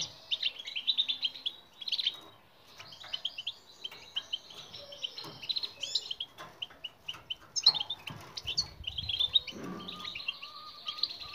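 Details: European goldfinch song in the bitbita style, used as a training recording to get silent goldfinches singing: fast, high twittering phrases with buzzy trills and sharp chirps, broken by short pauses, with faint clicks and a low steady tone behind.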